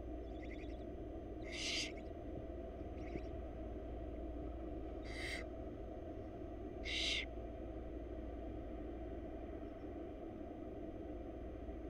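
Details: Wild barn owl young in Florida begging as their mother brings food: scattered rasping hisses, three stronger ones and a few fainter, irregularly spaced over several seconds amid a persistent low hum.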